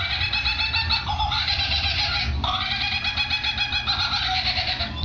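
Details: A male lyrebird, thirty years old, at Adelaide Zoo imitates kookaburras; he has also been adding to the construction noise of the new panda enclosure. He gives a loud, continuous, dense chattering cackle of layered ringing notes over low rumbling background noise.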